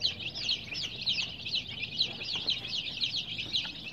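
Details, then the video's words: Baby chicks, dyed in colors, give rapid, high, down-slurred peeps, several per second, in a lively overlapping chorus. "Baby "Chicks Chirping" Sound"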